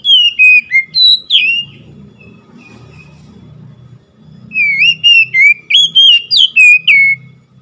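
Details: Oriental magpie-robin song in two bursts of rich whistled notes, a quick rising-and-falling phrase at the start, then a pause with low hum, then a longer rapid sequence of bright, slurred whistles.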